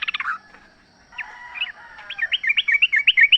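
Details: Free-living sooty-headed bulbul in natural habitat: a quick cluster of notes, a quiet moment, then an accelerating series of short, slurred whistles repeated about four times a second.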